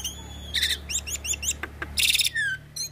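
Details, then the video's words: Mixed pied starling, Nias myna and hybrid song for tutoring: bright rasping bursts and quick descending chirps over a steady low electrical hum, ending with a falling whistle. "Masteran Jalak Suren dan Jalak Nias Dengan Kicauan Jalak Hybrid Nias X Suren Gacor Isian Unik"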